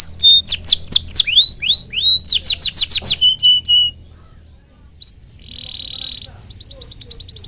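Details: Canary singing energetically to stimulate other canaries: fast repeated downward-sweeping whistles and a dense chirping trill for three seconds, then a quiet pause, a short buzzy rattle and a high tinkling trill.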